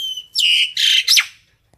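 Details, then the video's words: Common myna calling the flock with three short, loud notes. A bright whistle drops into a squawk, then a harsh burst, then a quick falling whistle, all within about one second. "Tiếng sáo nâu gọi bầy"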